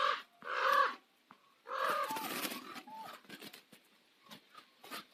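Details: Common ravens calling at sunset on Nose Hill, Calgary: a loud harsh croak, a pause, then a longer rough, raspy burst followed by scattered quieter clicks and short croaking notes.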